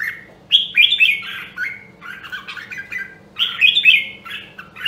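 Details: Red-whiskered bulbul of the Nam Đông, Huế voice type, singing as a training recording for competition song. Rich warbled phrases of three to five notes with bright rising whistles, a pause near the middle, then a fresh burst. Faint low hum throughout.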